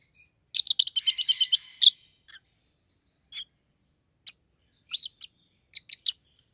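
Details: Rosy-faced lovebirds, a red-headed yellow and green pair, with a rapid stuttering trill of about ten sharp notes, then scattered brief chirps and clicks.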